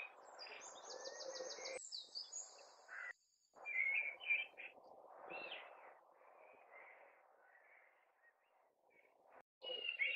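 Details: Male common blackbird singing in May, perched in a tree in a neighbour's garden some distance away; an opening burst of high twittering, then scattered soft fluted notes with gaps of quiet and steady low hum.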